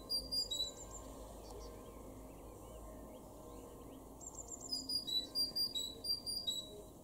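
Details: Great tit in a garden in Weener, East Frisia, northwest Germany, April 2021: a bright two-pitch whistled phrase repeated several times near the end, with thin high trills from other birds and faint low rumble.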